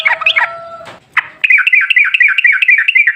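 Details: Yellow-vented bulbul song used as a lure: a brief jumbled warble and whistle, a short break, then a brisk run of repeated bubbly dipping notes, about two per second.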